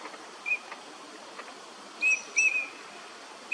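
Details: Eurasian teal (Anas crecca), a winter visitor, in a park at Junsai-ike Ryokuchi, Chiba, Japan, in January 2026: short, clear whistled 'krik' calls, four in under four seconds, two close together, over a steady background hiss.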